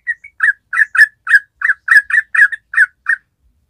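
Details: Actively singing yellow-vented bulbul (trucuk) in its 'ropel' style, used to lure untrained birds: loud, full, slightly harsh chirps, several doubled, about three per second, ending in a short silence.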